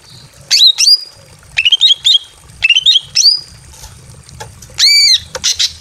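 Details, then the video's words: Breeding female greater green leafbird kept in a simple aviary, calling a male during mating season: sharp upswept squeaky notes in short clusters, then a long harsh arched squawk near the end. "KICAU BURUNG CUCAK IJO BETINA MEMANGGIL JANTAN BIRAHI KAWIN DI KANDANG AVIARY SEDERHANA"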